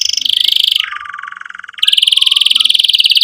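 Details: Canary song used to spur young canaries to learn singing and to revive canaries that stopped singing: a rapid high trill, a drop to a lower buzzy roll for about a second, then a return to a fast, bright high trill.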